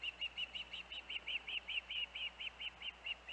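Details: Osprey with its young at the Hellgate nest, August 23, 2024: around fifteen arched whistled chirps delivered at a steady, unhurried pace over light background noise.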